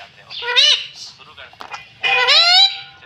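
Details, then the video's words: Pet rose-ringed parakeet talking, repeating the word "mummy": two loud, rich, nasal harmonic syllables about one and a half seconds apart, each rising then bending, with soft clicks and faint low room hum between them. "मम्मी बोलने वाला तोता - मिट्ठू बोलने वाला तोता"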